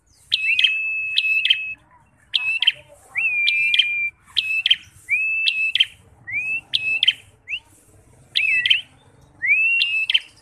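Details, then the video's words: Bar-winged prinia (prenjak) with a fighter's temperament: strident high clicks followed by long level or upward-sliding whistles, delivered in bursts roughly once a second, with soft low rumble behind. "Prenjak Petarung Gacor Emosian"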